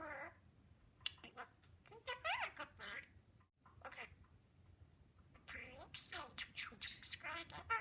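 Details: Male albino budgerigar, a pet, talking in imitated speech: a few raspy word-like phrases with rising and falling warbles, a pause, then a denser high chattering run.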